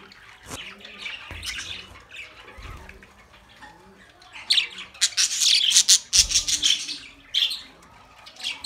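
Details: Budgerigar chatter intended for lonely birds: soft warbling notes at first, then bursts of loud, rapid squawky chirps, with low thumps in between.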